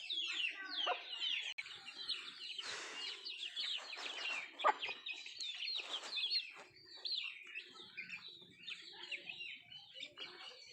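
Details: Native country chickens (nattu kozhi) at their food: a steady stream of thin, high, rapid chirps over about ten seconds, with scattered broadband pecking or scratching noises and a few lower clucks.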